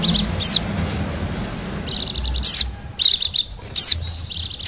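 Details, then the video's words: Wild Bali white-eye used as a lure sound: high, thin chirps in rapid rattling bursts, mixed with sharp down-slurred whistles, the bursts separated by short pauses over a low background rumble. "suara pikat dan pancingan bunyi burung pleci bali liar"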